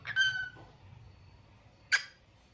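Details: Lutino cockatiel producing one bright, falling harmonic whistle, then quiet before a single sharp, noisy chirp.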